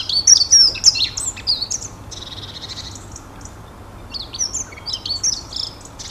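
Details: Long-tailed tit, several birds by the sound, uttering rapid high thin zipping notes and buzzy trilled calls, about three per second, in two lively bursts separated by a quieter buzzy stretch.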